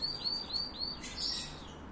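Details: Copper-coloured canary in breeding excitement giving brief high arched whistled notes repeated about every quarter second, ending in a short buzzy burst, against a low steady hum.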